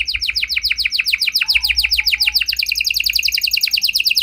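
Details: Gacor canary delivering a lure song to prompt other canaries to sing back; an even, rapid roll of repeated down-slurred notes runs throughout, with a faint low whistle briefly underneath.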